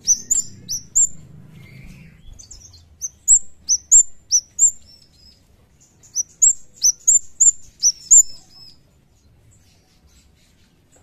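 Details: A Javan kemade (cigen) in full song, sounding as in the wild, gives thin, high, sharply down-slurred whistles in quick bursts of short notes with brief pauses between. A low rumble is heard at the start.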